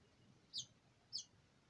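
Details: House finch nestlings about to leave the nest, recorded in 2020 while a new nest is prepared for the next brood: two short, high, sharp chirps about half a second apart over quiet background.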